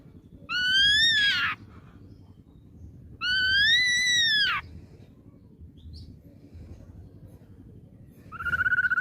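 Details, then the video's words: Ashy drongo, caught young from the wild, repeats a long, rich whistle rising and slurring down twice, about three seconds apart, ending with a shorter steady whistled note. "KICAU GACOR BAWAAN MUDA HUTAN SRIGUNTING ABU ABU"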